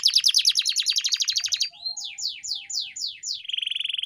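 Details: Canary training song for teaching caged canaries: a quick rattling trill, then five separate falling whistled slurs, and finally a steady buzzing pulsed note.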